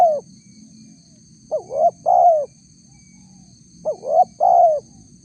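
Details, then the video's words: Spotted dove coo used as a lure to draw replies from wild doves: two three-part phrases about 2.3 seconds apart, quick upward notes ending in a longer downslurred coo, over a soft steady high whine. "suara tekukur PALING DI CARI untuk memancing respon tekukur liar"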